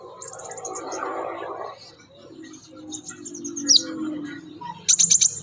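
Scarlet minivet giving thin, very high, sharp notes in quick runs of four or five, with a low murmur of other birds and background noise early on.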